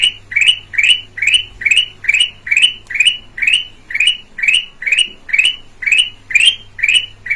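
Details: Clear-voiced red-eyed black-crested bulbul used as lure sound: some fifteen crisp, upward-sweeping chirps repeated evenly at about two per second, low electrical-sounding hum underneath.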